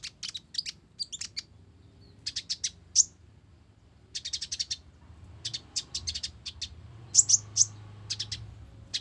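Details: Mottled-plumaged ninja sunbird singing persistently, its song filled with house sparrow phrases: bursts of sharp, high chirps in quick clusters, pausing between groups, with a few thin whistled notes over faint low background hum.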